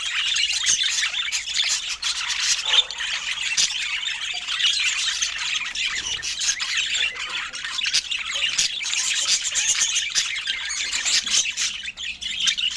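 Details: Budgerigars eating together under natural Scandinavian light keep up a long, unbroken chatter of high squawks and chirps. Faint clicking and pecking noises run through it, and no words or music are heard.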